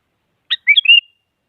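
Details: Sooty-headed bulbul singing to provoke a rival, used to spur a silent bulbul into song: a sharp high note, then a short run of clear whistled notes sliding across a bright phrase, in silence.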